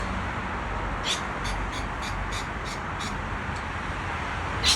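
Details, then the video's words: A very excited lorikeet gives a quick run of shrill, screechy chips about three a second, then one harsher screech, over a steady low background rumble. "A super excited lorikeets"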